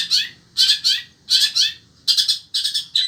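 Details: Caged long-tailed shrike of the sembur variety, kept as a pet songbird in Indonesia, singing on through fierce heat: harsh, buzzy bursts of paired high notes, separated by short pauses.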